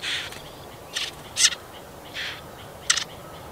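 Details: Marsh warbler, Kalinovsky forest park, Yekaterinburg, 30 June 2020, while feeding nestlings at its nest in shrubs or nettles, gives five short, harsh, hissing bursts at uneven intervals, about one a second, over a quiet background.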